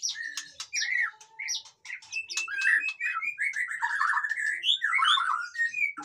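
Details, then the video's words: White-rumped shama singing loudly, said to stir lazy birds into song: dense, varied phrases mixing sharp clicks, bright whistles and rolling warbles that run almost continuously for six seconds. "suara burung murai batu ribut"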